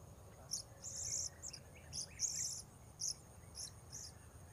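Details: Shrill high notes from a blue-crowned hanging parrot during bird-luring at Port Baru, some clipped and some slightly buzzy, spaced irregularly about half a second apart, with faint lower chirps beneath.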